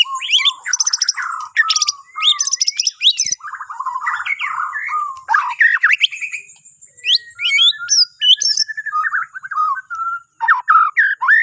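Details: Bornean white-rumped shama singing in the morning, used to prompt other birds to sing: a rich, varied stream of loud whistles, rising and falling slurs and sharp high chips, delivered in quick bursts with brief pauses.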